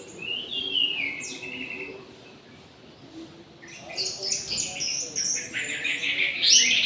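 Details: Orange-headed thrush singing vigorously at midday in an aviary: high, bright warbled phrases with sliding whistles, a burst early on and a denser, louder run of varied notes in the second half, over a faint low hum.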